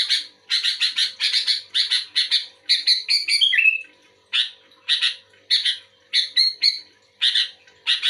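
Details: Rapid repeated chirps from a sooty-headed bulbul replying to another bulbul, interrupted midway by a descending rolling whistle, then more evenly spaced sharp notes.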